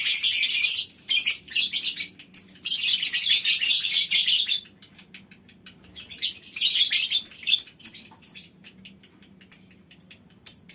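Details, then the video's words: Lovebird colony in a small aviary, birds joining one another in long ngekek calling: extended shrill, buzzy chattering runs lasting several seconds, broken by short gaps and scattered sharp chirps. "Suara Lovebird Koloni Bikin Burung Lain Ikut Ngekek Panjang"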